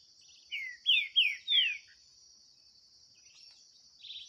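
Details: Green-winged saltator in a 2023 singing dispute with a free bird in the bush: four loud, whistled, downslurred phrases in quick succession, then a short faint note, over a steady high insect drone.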